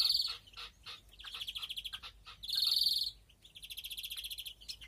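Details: Greenfinch breeding in an aviary, 2021: rapid ticking trills alternate with loud drawn-out nasal wheezes. A trill, a wheeze, then another long trill follow in quick order.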